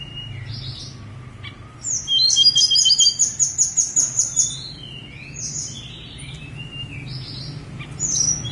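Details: Snowy-browed flycatcher on Gunung Songgo Langit gives a burst of high, stacked, tinkling notes repeated quickly for about two seconds, followed by scattered thin chirps and a steady low hum.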